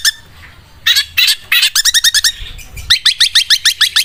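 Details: Long-tailed shrike performing its sewing-machine song, a fast mechanical run of clipped, rising notes, about three per second. A few harsher rasps open the run, then the notes settle into an even, stitching rhythm.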